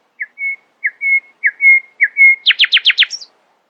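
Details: Nightingale in early morning, alternating short chirps with level whistles, then a fast rattle of five loud, downward-sweeping notes capped by a high flourish.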